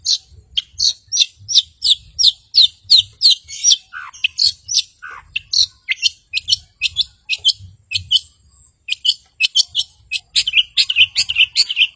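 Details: Long-tailed shrike in full song, used to provoke silent birds into singing: a long fast series of sharp high chirps, about three per second, with a couple of lower slurred notes midway.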